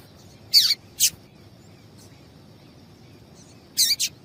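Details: Female double-collared seedeater call, used to provoke male song: paired sharp high chips, a double note near the start and another pair about three seconds later, with faint soft notes between.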